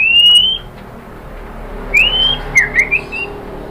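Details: Sparse whistled notes of a white-rumped shama: a long upslurred whistle, silence, then another rising whistle and three short slurred notes against quiet background hiss.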